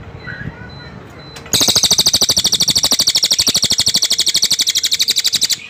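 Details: Cililin bursting into a loud, sustained, rapid buzzy trill of evenly repeated high pulses lasting about four seconds, after a quieter stretch with faint chirps and a steady background hum.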